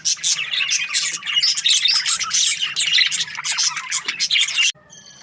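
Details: A group of budgerigars chirps in the morning, with bursts of fast, sharp, warbling notes in pulsing waves, then a sudden cut to a short, faint tonal sound.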